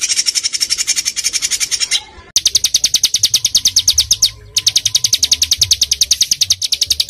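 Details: Small songbird delivering packed, burst-filled song meant as training material for caged birds: long trains of rapid high chirps, each train several seconds, separated by two brief silent breaks.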